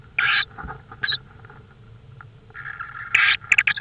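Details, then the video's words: Tawny owl calling at night in Estonia on 5 May 2013, 22:30: several rasping, hissy bursts of uneven length, some short and clipped, others longer, with a faint steady hum behind. "tawny owl"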